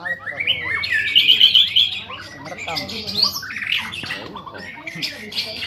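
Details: A young male white-rumped shama, kept caged, pits its song against captive-bred rivals: loud bright whistles and a rapid warbled phrase early, followed by scattered high notes, with a man talking underneath later.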